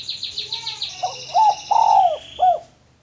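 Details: Male spotted dove kept as a lure bird. Rapid high chirping from another small bird opens, then the dove gives a loud phrase of hoarse, low coos, a short note, a long drawn note and a final short note.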